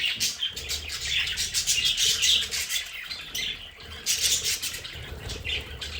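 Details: Household budgerigars in their play area produce loud, busy chatter of grating squawks and quick chirps, nearly unbroken, over a faint low rumble.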